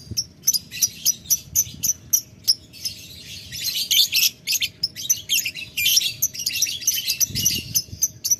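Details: Lovebird calling a rival with ngetik ngekek: shrill, scratchy chatter in short clipped bursts, at first spaced, then merging into denser, longer runs of rapid high squeaks and ticks; faint low background rumble.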